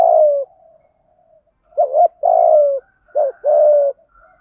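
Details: Decoy spotted dove cooing to entice wild birds, gáy gọi một hậu calling style; three mellow low phrases, each a brief quavering coo followed by a drawn-out, slightly falling hoot, with short silent gaps.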